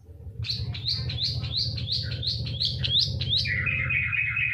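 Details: Long-tailed shrike song used as a lure to make quiet shrikes sing: a run of about ten rising whistled notes, roughly two per second, then a lower buzzy warble, over a steady low hum.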